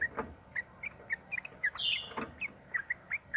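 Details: Yellow-vented bulbul (trucukan) lure song in long 'ropel' style: a steady string of short, bright chirped notes, about two per second, broken once by a higher buzzy slur.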